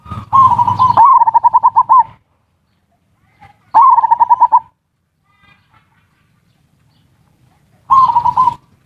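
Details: Zebra dove lure recording in ngerot and kuwor styles, played to stir mating urge and prompt lazy birds to sing: three bursts of rapid, evenly pulsed mid-pitched cooing, each opening with a rising note, separated by silent gaps.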